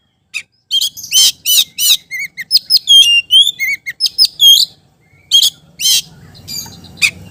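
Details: Energetic oriental magpie-robin song meant to prompt other magpie-robins to sing: rapid high whistled notes mixed with rasping buzzy bursts, constantly varied, briefly pausing before resuming, with a soft rumble near the end.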